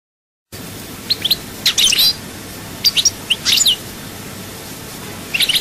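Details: European goldfinch from Souk Ahras, Algeria, singing in the chaayba style: short bursts of high twittering and sharp chirps, separated by pauses, over faint steady background hiss.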